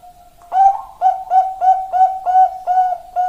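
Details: Zebra dove of the Bangkok type singing in Indonesian style: a steady series of seven clear, bubbly, mellow coos on one pitch, each with a slight lift, spaced roughly every 0.4 seconds after a soft lead-in note.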